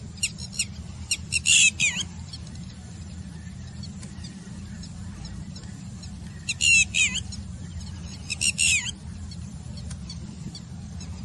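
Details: Red-wattled lapwing giving its "did-he-do-it" alarm call, loud, shrill, strident notes in three bursts over about ten seconds above a steady low rumble, at the Manair dam water body in Karimnagar.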